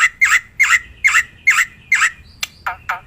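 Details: Black-winged myna in the wild, chattering 'gacor' song for luring birds. Loud squawking notes, harsh and nasal, come about twice a second, then end with a few shorter, sharper chips.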